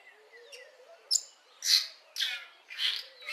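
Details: Lesser striped swallow singing early in the morning in a garden: short buzzy, twittering notes with bright harmonic bursts, roughly every half second, over a faint low background hum.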